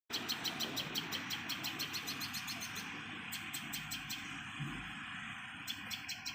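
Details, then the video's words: Common tailorbird mother feeding a chick; rapid series of high, sharp chirps repeated about three times a second, pausing midway before resuming, over steady low background noise. "#MomTailorBird Feeding Baby Bird"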